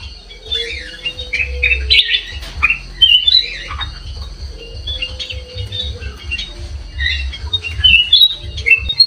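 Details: Sooty-headed bulbul song for luring other birds: repeated bouts of chattering, squeaky slurred whistles over nine seconds, with a constant low rumbling noise and an intermittent steady tone underneath.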